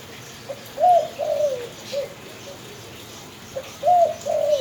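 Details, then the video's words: Spotted dove cooing clearly: a phrase of three mid-pitched, wavering coos, the last short, then after a pause another loud coo followed by a second, over quiet background. "suara derkuku emang jos adem dihati"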